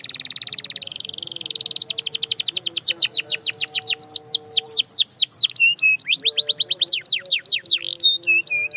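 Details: Singing canary delivering a fast rattling buzz that builds into a long series of rapid descending whistled sweeps, broken by short flat whistles, accelerating and loud throughout.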